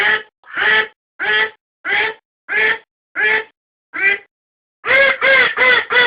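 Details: Domestic duck calls recorded as a decoy: seven regularly spaced raspy quacks, a short pause, then a louder, faster burst of four run-together quacks.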